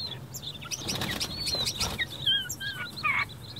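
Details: Four-day-old king quail chicks, part of a clutch of eight, silver and normal varieties, give thin, high peeps and short slurred chirps, several overlapping, with soft rustling and scratching underneath.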